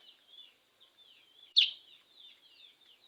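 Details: A sooty-headed bulbul in full song after its bath gives a steady stream of soft whistled, wavering notes, with one loud abrupt rattling burst midway.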